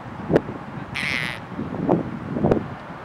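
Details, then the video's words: A red-breasted merganser, woken from sleep at 11:57 AM on 29 August 2021 at Dana Point, California, gives three short, harsh, croaking notes about a second apart, with a brief hiss of higher noise between the first two. "Red-Breasted Merganser sleeping and rudely awakened"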